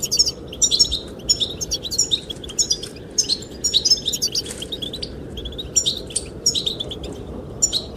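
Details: Goldfinches singing to attract the female: bursts of bright, high twittering and tinkling chirps in quick clusters, several per second with short gaps, over a steady low rush of wind.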